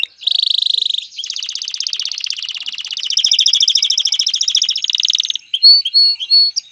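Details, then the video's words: Male canary singing to prepare a female for mating and stimulate her nest building: a sustained buzzy trill that shifts into a fast rattling roll, then short sharp chirps near the end. "اقوى تغريد ذكر الكناري لتجهيز انثى الكناري للتزاوج و تحفّزها على بناء العش CANTO CANÁRIO"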